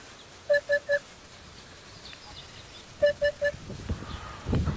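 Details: African Hoopoe played at a South African game reserve in October, near summer, giving two bursts of three quick, soft, low hoots about two and a half seconds apart, similar to the African cuckoo's two hoots; faint rustling and low rumble follow.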